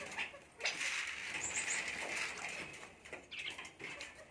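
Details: Common myna (Acridotheres tristis), call.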